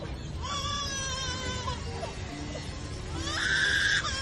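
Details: An Australian lyrebird mimics a crying baby with wavering, wailing cries that rise and fall, the last one louder and higher, over background music.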